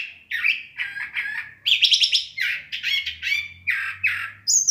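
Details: A curve-billed thrasher's evening song, a long, lively medley of rasping, trilled and whistled phrases, closely spaced, ending on a high clear whistle.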